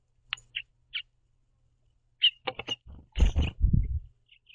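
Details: House finch pair perched on a backyard platform feeder, hopping on and off while eating seeds and communicating; short bright chirps, a few spaced singly, then a quick cluster, followed by heavy low thumps from the birds moving on the feeder.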